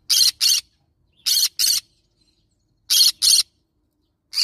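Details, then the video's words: Harsh, grating screeches from a yellow-sided green-cheeked conure, delivered in three quick pairs with pauses of over a second between each pair. "Yellow sided Green cheek conure parrot sound"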